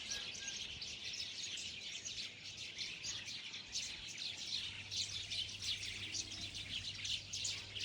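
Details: Dense bird chorus: continuous high chirping and twittering from many birds blending into a steady shimmering wash, with a low steady hum underneath.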